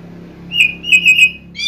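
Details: Oriental magpie-robin song used as a lure to make other birds sing, described as cat-like; a brief run of clear whistled notes, some slurred, with a steady low hum underneath.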